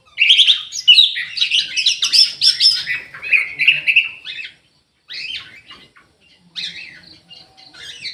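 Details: Orange-headed thrush kept in an aviary, singing in lively full voice: a rich run of varied whistled and warbled phrases for about four seconds, then after a short pause scattered sharper, higher notes.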